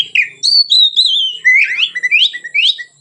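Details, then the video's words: White-rumped shama singing relaxedly as a lure for training other birds, delivering loud fluting whistles followed by a string of quick rising slurred notes that climb in steps. "suara Kacer ngeplong santai, pancingan / masteran Kacer"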